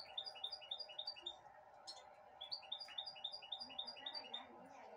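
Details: Goldfinch hybrid, recorded in 2022 while eating broccoli from a hand, giving bright, high chirps in quick runs of about three to four per second, with a short pause mid-clip, over a steady low hum.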